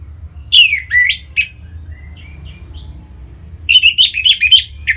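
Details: Orange-headed thrush song used as a singing lure for other birds: two downward-swooping loud notes, soft thin whistles in between, then a fast jumble of bright twittering notes.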